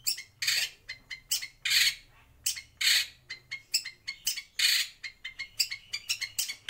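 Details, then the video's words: A white-rumped shama kept in a breeding aviary gives a rapid run of loud, scratchy, buzzy bursts, some long and some clipped, repeated irregularly with short gaps. "Kicau Murai Batu"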